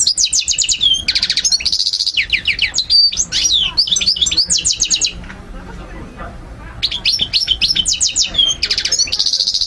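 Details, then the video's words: European goldfinch (maqnin) song played for stimulating and teaching other birds: rapid high tinkling twitters and trills with buzzy notes, a pause near the middle, then the fast twittering resumes. "مقنين ملك 👑 تغريد 💯 الطيور 2023🔥💥 تسميع وتحفيز تحفيظ"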